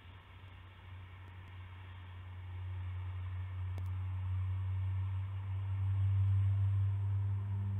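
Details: Steady low mechanical hum under faint hiss, slowly growing louder, with a few soft clicks and no animal voices.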